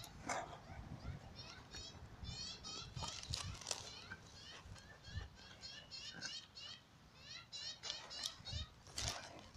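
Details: Juvenile Australian magpie at a cemetery begging its parents to drop chips into its mouth: dense run of loud, raspy, wavering squawks, fast and almost continuous, with bursts of noise between.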